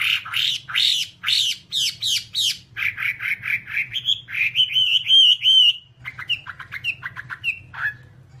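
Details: Whambie singing loud harsh rising notes in a steady series, then a warbled whistled stretch, after a short break, a set of scattered descending chirps.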